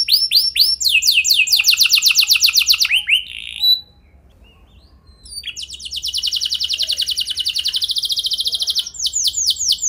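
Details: Canary singing a rich lure song to coax other canaries into song: repeated rising chirps and a fast roll, about a second of silence, then a long even buzzing trill.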